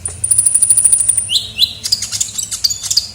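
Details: Sunbird, known locally as kolibri ninja, in a lure recording: a run of very high, thin ticking notes, then short sharp rising chirps and high whistled notes repeated rapidly.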